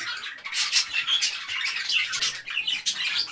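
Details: Many parakeets chirping together produce thick, high, buzzy chatter: strident squawks and quick chirps crowding over each other without pause.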